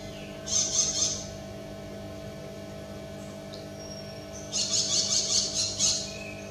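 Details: Wild parrot producing two bursts of rapid, high-pitched, scratchy chattering notes separated by a few seconds of quiet, with a faint steady hum underneath.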